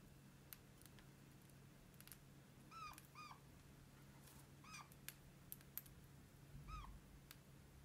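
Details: Pet red-crowned parakeet making soft, kitten-like squeaks, a pair of down-curving notes followed by two more scattered calls. Quiet room hum and small tapping clicks are heard throughout.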